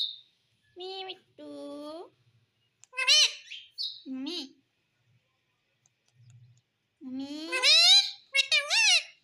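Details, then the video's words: Pet parrot talking, mixing clear squawks with harmonic, speech-like phrases of rising and falling tone in short bursts, with gaps of silence between them. "parrot speaking everything"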